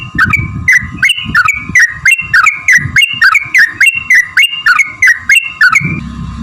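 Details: Yellow-vented bulbul in a long rapid fighting-style song used as a lure to make other bulbuls answer: bright whistled notes falling in pitch, repeated about three times a second, over a steady tonal hum and low rumbling.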